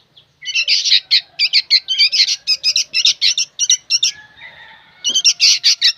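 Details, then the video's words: Young sooty-headed bulbuls calling noisily: a steady run of short, harsh, buzzy notes about three per second, pausing briefly before resuming. "SUARA BURUNG ANAKAN KUTILANG PALING RIBUT BERBUNYI"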